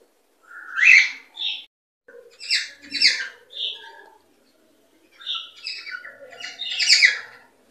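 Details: Cockatiel calls meant to stimulate mating and breeding: rising whistled chirps and chattering phrases, grouped in loose bursts with brief silences between them.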